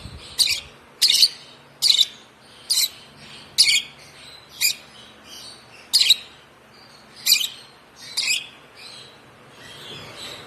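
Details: Hand-fed African lovebird chick, one month old and fed by hand since two weeks of age, repeating bright, high-pitched single chirps at a fairly even pace, roughly one every second, in a quiet room.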